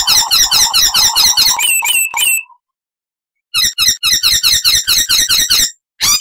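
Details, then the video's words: An Icterine warbler sings loudly with rich variation and mimicry: quick squeaky notes over a lower humming tone, a pause, then more rapid chattering bursts and a final squeak. "Icterine Warbler (Hippolais icterina)"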